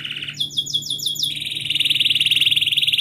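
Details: Canary song played to coax a silent canary into singing: a rapid buzzy trill near 3k shifting to quick repeated upswept notes, then a long fast rolling trill, loud and continuous.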